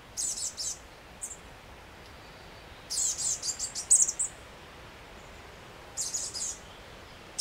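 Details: Chestnut-backed chickadees in Washington during summer, adults busy feeding their young: short clusters of very high, thin, buzzy chips come in scattered bursts with quiet gaps between them, set against a faint steady background hiss.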